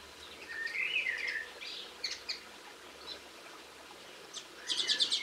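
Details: Linnet singing, filmed in Cornwall on 22 March 2016: a bright warbled phrase with a sweeping whistle near the start, then scattered twittering notes and a dense chattering burst at the end, over a low background hiss.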